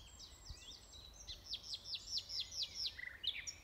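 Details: Common nightingale at Alners Gorse in Dorset: about nine loud, sharply down-slurred notes repeated rapidly and evenly, ending in a brief buzzy rattle and a final high chirp.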